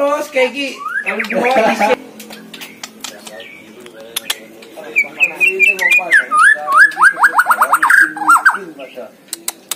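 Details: White-rumped shama singing steadily at a contest. A harsh burst of chatter comes first, then after a quieter stretch a bright, rapid series of slurred whistled notes, roughly a dozen in quick succession.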